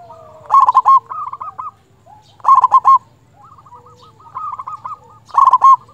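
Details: Zebra dove, a local bird singing strongly to summon rivals and raise breeding drive: loud clusters of fast, throaty coos recur about every two and a half seconds, linked by softer rolling coo series, with a low hum beneath.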